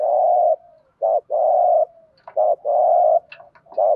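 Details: Spotted dove decoy call in the 'thúc gù' style, meant to provoke rival doves: low, rough coos alternating between short and long held notes in a steady rhythm, with faint higher chirps from another bird near the end.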